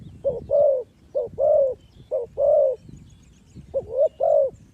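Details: Spotted dove used as a lure for trapping, giving a soft cooing call: a short clipped coo followed by a longer rolling croo, the pair repeated three times with gaps, over quiet low background rumble.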